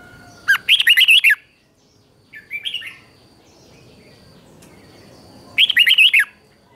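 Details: Morning training song of a red-whiskered bulbul in the ché style, used to stimulate wild-caught birds: a rapid, bubbling phrase of slurred notes, a short softer call two seconds later, and another full phrase near the end.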